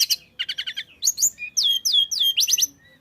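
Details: Tledekan flycatcher in constant song, used to prompt other birds to sing: a rapid buzzy trill of repeated notes, then loud sweeping whistles falling and rising in quick succession, closing with a short trilled burst.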